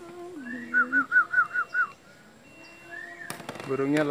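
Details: Koak, a Papuan friarbird, coming back overhead and giving a fast run of six clear, looping notes, evenly spaced, followed by quieter sounds and a burst of rustling noise.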